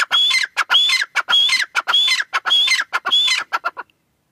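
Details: Six rasping phrases from a female grey francolin (teetar), each a short high whistle run into coarse chattering notes. They fall into a steady rhythm, then cut off just before four seconds, followed by quiet.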